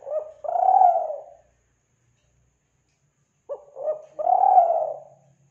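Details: Kelantan spotted dove (tekukur) lure call: two matching phrases about three seconds apart, each with two short hollow coos followed by a drawn-out, slightly wavering low coo, in a quiet setting.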